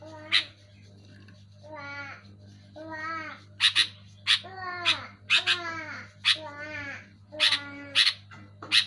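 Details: Sooty-headed bulbul calling loudly and clearly: harsh broadband chirps alternate with lower, harmonic, downslurred nasal notes, about ten bursts in nine seconds over a steady low electrical hum.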